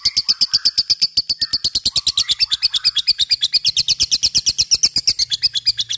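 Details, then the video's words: Lovebird singing in the ngekek style, a fighter-type bird whose song is used to prompt other lovebirds to sing; a fast, continuous, high chattering trill of rapid sharp pulses, about eight per second, steady for six seconds. "pancing LOVEBIRD supaya cepat ngekek fighter dan gacor"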